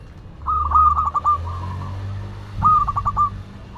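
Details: Zebra dove of local Madura stock singing: two phrases of fast staccato cooing notes, the first trailing into a lower soft purr, set against a steady low hum.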